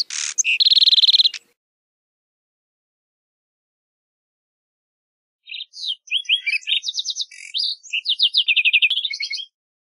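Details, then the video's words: Lark sparrow: loud buzzy opening notes, a silent stretch, then a long varied song of clicks, short whistles and rapid trills. "Lark Sparrow Singing! Lark Sparrow Calling! Sound! - Gorrión Arlequín Canto - Chondestes Grammacus"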